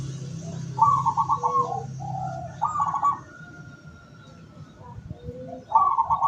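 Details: Local zebra dove used as a decoy bird to lure wild doves, dated 17 August 2023: rolling, trilled coos in three separate bursts, each breaking into softer lower notes, over a steady low hum.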